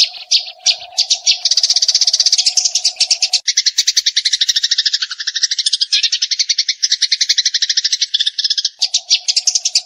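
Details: A Eurasian tree sparrow produces long 'full tembakan' chatter in a training recording: continuous, fast, high chirps for nearly ten seconds. A steady low hum is heard at the start and again at the end.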